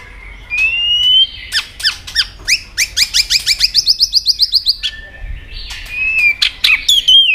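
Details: White-rumped shama singing competitively with many voices: a rising whistle, then a long run of quick, downward-swept sharp notes, a pause, and a final burst of high squeaky whistles.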